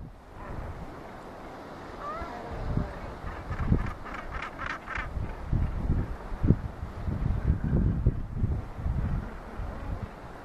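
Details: Northern Gannets on Mykines, Faroe Islands, in 2015 give harsh, grating, repeated barking calls in short bursts, with heavy low wind rumble throughout.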